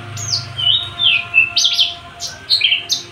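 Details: Caged Javan bush lark, a tame, unringed male ready for breeding, singing freely: a rapid string of high whistled and slurred notes, some falling and some buzzy, with a steady low electrical hum behind.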